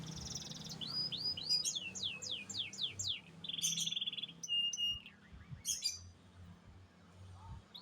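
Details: Canary of the AF type in song: a quick series of downward-sweeping whistled notes, then a buzzy rattle and scattered sharp chips, fading toward the end over low background rumble.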